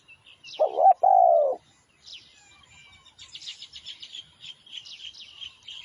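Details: A lure recording of a spotted dove gives one deep, husky two-part coo near the start. After it comes a steady run of thin, high twittering notes from small birds.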